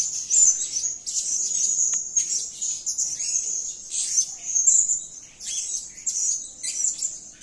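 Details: Serindit, the blue-crowned hanging parrot, in lively voice: a shrill, high-pitched twittering stream of rapid squeaky notes, pulsing in short bursts over seven seconds against a quiet background.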